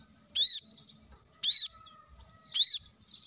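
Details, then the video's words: Plain-throated sunbird singing actively, used as a training lure for other songbirds: three loud, arched, ringing high notes about a second apart, each trailing into a thin twitter. "kolibri kelapa | manggar | wiceh | masteran untuk burung ijoan agar cepat bunyi gacor"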